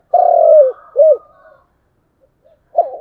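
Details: Spotted dove cooing in the chiêu and thúc styles, opening with a long, steady, slightly falling hollow coo, then a short arched note, a pause, and another coo starting.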